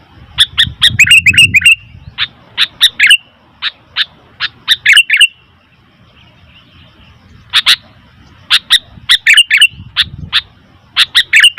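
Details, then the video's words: Sooty-headed bulbul calling noisily in repeated bursts of rapid, bubbly, slurred chirps separated by short pauses, with faint low rumbling noise at times. "Suara Burung Kutilang ribut"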